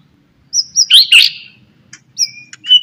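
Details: White-rumped shama in the morning, singing to encourage other shamas: a brief burst of high whistles and a harsh scratchy note, followed by a few thin, clear whistles.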